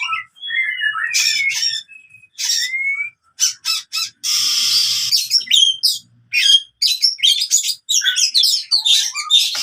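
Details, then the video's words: Oriental magpie-robin fighting song meant to coax silent birds back into singing: loud harsh bursts, sliding whistles and rapid chattering notes, one long rasping noise near the middle. "KACER TARUNG COCOK UNTUK KACER MACET BUNYI"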